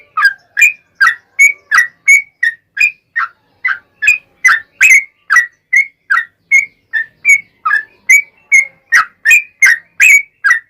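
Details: Yellow-vented bulbul singing a long extended phrase meant to prompt other bulbuls to respond: steady run of punchy whistled chirps, two to three per second, varying slightly in pitch, clean with no other sounds.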